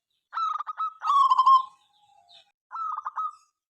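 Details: Local zebra dove, a noisy, lively singer heard morning, noon and night that sets rival birds calling; two rolling phrases of rapid staccato coos around a steady mid pitch, separated by a fainter drawn-out note.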